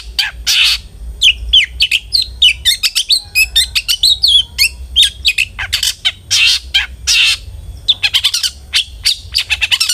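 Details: Long-tailed shrike song meant to make other shrikes sing: a rapid, varied medley of whistled upslurs, twitters and harsh grating bursts, almost continuous.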